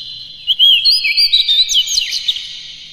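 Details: Oriental magpie-robin (kacer) in vigorous lure song meant to stir other kacer: a loud, fluid run of rising and falling whistled notes and quick trills lasting about two seconds, ringing over a quiet background.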